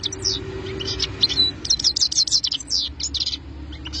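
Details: European goldfinch singing: bursts of high, thin twittering and tinkling notes in quick uneven runs, with short gaps between phrases over a steady low hum.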